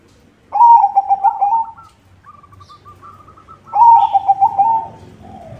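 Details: White zebra dove singing vigorously with a good rhythm, used as a lure for other zebra doves: two loud bursts of rapid, bubbling, pulsed coos, each lasting about a second, separated by a softer stretch of faint pulsed notes.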